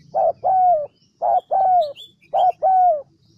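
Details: Spotted dove kept as a decoy bird in the Central Highlands of Vietnam, giving three paired coos about once a second. A brief note leads into a drawn-out, gently descending croo, with light twittering of other birds.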